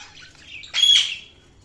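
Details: A single budgerigar gives a soft warble, then a loud harsh squawking chirp lasting under half a second.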